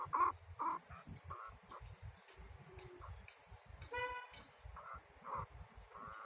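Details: Male and female chukar partridge together in a yard: a run of short, harsh clucking notes at mid pitch, about two per second and unevenly spaced, with one louder nasal, ringing note partway through, over a steady low rumble.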